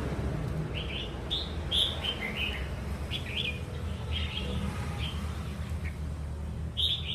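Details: Red-whiskered bulbul, a wild-caught bird being stirred into singing, gives scattered short whistled and warbled phrases, some clipped and some slurred, spaced unevenly over about seven seconds against a constant low rumble.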